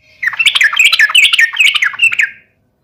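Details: Yellow-vented bulbul fighting call meant to make rival bulbuls respond: a fast, dense run of warbled, chattering notes lasting about two seconds, ending abruptly.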